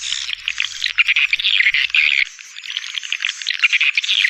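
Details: Edible-nest swiftlet calling lure for feeding areas and flight lines, partly made of roosting sounds reported to lead to nesting; continuous raspy, buzzing twitters in overlapping bursts, with a thin high whistle threading above.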